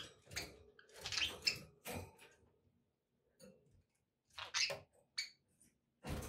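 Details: Pet budgerigars chirping indoors: short bursts of bright, scratchy chatter in clusters, with pauses and a dull low rumble underneath.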